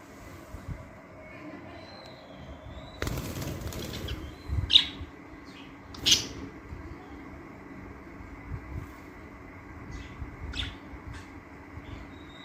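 Budgerigars give a few short, scratchy chirps, with a burst of wing flapping.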